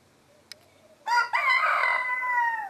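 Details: Rooster crow: a brief click, then a loud, harsh crow opening abruptly and holding a long drawn-out tone that slowly falls at the end.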